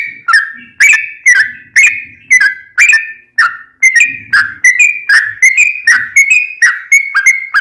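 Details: Sooty-headed bulbul pouring out a long lively song used to provoke other bulbuls into singing: loud slurred whistles, slow at first, then quicker and closer together in the second half, with faint low murmurs beneath.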